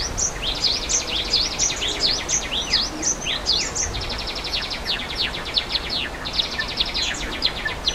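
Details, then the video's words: High, clipped chirps from Java sparrows in nature close to a waterfall, first in quick V-shaped notes, then dense rattling trills, all over a steady roar of water. "Suara Air Terjun dan Burung Gelatik di Alam"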